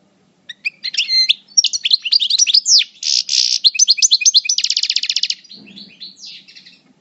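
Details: European goldfinch, subspecies parva, in moult at El Bordj, performing coupleur song: a continuous quick sequence of tinkling notes and twitters, a rapid buzzy rattle near the end, then softer closing chirps.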